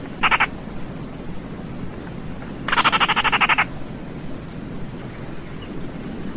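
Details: Baillon's crake giving a dry, frog-like rattle: a brief burst, then a longer run of about ten rapid pulses lasting nearly a second, over a steady low background hum.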